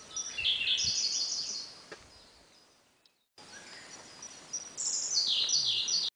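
Siberian blue robin giving two bursts of high, rapid, jumbled chattering notes, separated by a brief break, over faint background hiss.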